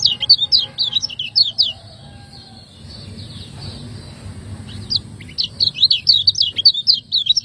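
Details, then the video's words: Master recording of a Lombok lemon-bellied white-eye kept for cage training: bursts of quick high chirping notes at the start and end, separated by a quieter stretch with a faint steady hum in the background. "Masteran burung kecial kuning"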